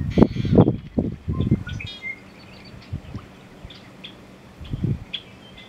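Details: A male American bittern performs its display call, rendered "Onk, Onk, Onk, Onk-a-chunk": several loud deep gulping notes at first, then softer spaced pumps, with small birds chirping in the background.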